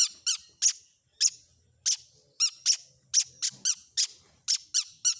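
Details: Long-tailed shrike combination fill-in song, meant to make other shrikes answer: about twelve sharp, squeaky, ringing notes in short bursts, some in quick pairs, spaced irregularly over five seconds. The background is clean and quiet.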